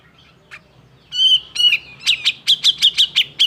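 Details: Agitated song of a grey-cheeked bulbul, used to provoke reluctant birds into singing: a few soft notes, then bright whistled notes and a fast series of about eight sharp, evenly spaced chirps.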